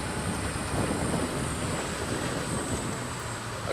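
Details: Steady low rumble of a moving vehicle with wind buffeting the microphone throughout.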